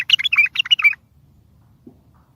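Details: Bulbul song used to lure and trap other bulbuls and make silent ones sing: a one-second tumble of lively, slurred chirps at the start, followed by quiet with one faint low knock.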